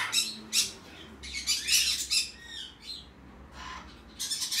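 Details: Green-cheeked conure chick, hand-tame, red cheek pineapple colour form, 11 November 2019: short grating rasps come in quick irregular runs, then a pause and a final burst of scratchy squawking.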